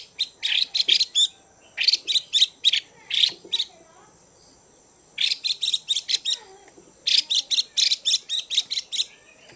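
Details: Female Chinese hwamei kept in a cage, calling to excite males. Rapid rasping chip notes come in three dense volleys of roughly five to eight notes each, separated by short silences.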